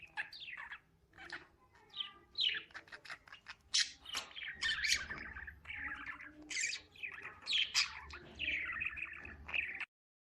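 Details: Lovebirds chirping in a steady, busy stream of high twittering and squawky chirps, several overlapping notes in quick succession with a faint low hum underneath, stopping abruptly near the end.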